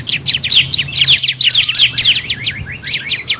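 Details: Bar-winged prinia (ciblek kristal) song for tutoring competition songbirds: hurried, scratchy high chirps in dense bursts, then a run of quick descending notes, with a faint low hum.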